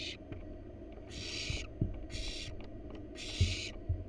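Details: Barn owls in a wild nest box, the parents bringing a rat to the nestlings: three rasping hisses, each about half a second long, mixed with frequent knocks and thumps of birds moving about.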